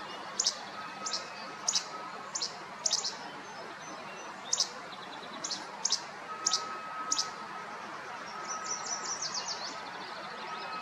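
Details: A least flycatcher repeats abrupt, dry two-note phrases at irregular short intervals, then falls quiet as a different bird's fast, high, jumbled twittering comes in near the end.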